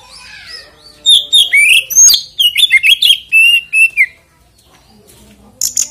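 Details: Oriental magpie-robin song used to provoke other magpie-robins into singing: a rich run of loud whistled notes around mid-high pitch, slurred rising and falling phrases with sharp chips, over about three seconds, then a quiet pause and a brief fresh burst.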